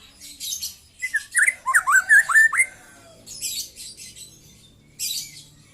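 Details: Young white-rumped shama singing in the 'trotol' style: a rapid burst of sharp, slurred whistled notes over about two seconds, backed by harsh, hissy high chatter, then a quieter pause and short raspy bursts.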